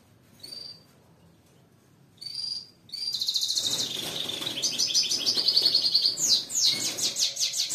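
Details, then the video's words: A canary (serinus, goldfinch-mule type, white-marked) in full breeding-condition song: two short high chirps, then continuous fast rolling trills and bright whistled tours shifting pitch every second or so. "سهره قناری گلبسر آواز مستی نشون دار سفید"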